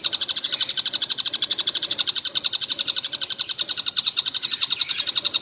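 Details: Rapid repeated scratchy notes from a collared kingfisher that calls all day without stopping, the high chatter running steadily from start to end.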